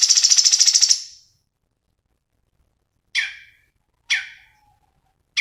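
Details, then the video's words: Cucak cungkok singing to train other songbirds: a buzzy pulsed trill fades out, then after a pause come harsh, rasping downslurred notes about a second apart. "SUARA BURUNG CUNGKOK GACOR"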